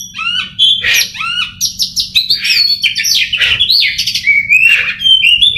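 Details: Oriental magpie-robin groomed for contests sings energetically: quick downslurred whistles, buzzy trills and ringing high notes strung together without pause, loud and bright, with a constant low hum behind.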